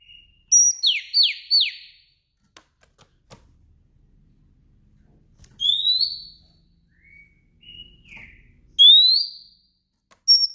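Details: Female Oriental magpie-robin calling in the afternoon to stimulate males to sing: three rapid descending buzzy sweeps, then soft short whistles, with loud rising buzzy notes near the middle and end.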